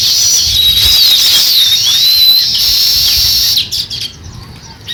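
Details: Continuous shrill twittering and sliding squeaky notes from a sparrow at the start of nest building, breaking off into a few short scattered chirps at the end.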